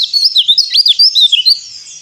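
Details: Brief burst of white-eye song, used to start silent birds singing: quick, high, warbling whistled notes slurring up and down in a lively, jumbled chatter.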